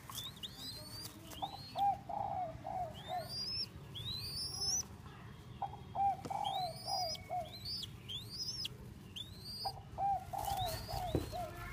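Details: Young Thai-strain spotted dove offered for sale, giving short low cooing phrases of three to four notes at intervals, while higher, repeated rising whistles from other birds dominate the upper range over steady background hiss.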